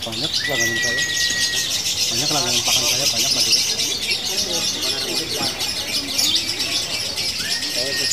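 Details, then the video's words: Female lovebird of fighter type in long locked 'ngunci' song with brief breaks: a continuous shrill, buzzy chatter of fast repeated notes, with a long flat whistled tone and background music. "Lovebird betina fighter ngunci!!! pitbull jedanya"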